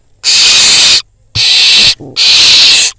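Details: Barn owl fledgling at a nest camera in Israel, calling after receiving a prey drop while eating beside a pigeon; three loud, harsh, broadband hissing screeches, each lasting under a second, separated by short pauses.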